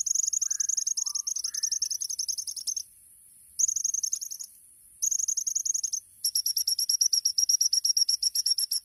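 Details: Champion olive-backed sunbird (kolibri ninja) in 'tembakan' masteran song: fast buzzy chattering trills of about three notes a second, broken by short silences, then a long rapid run of sharp chips.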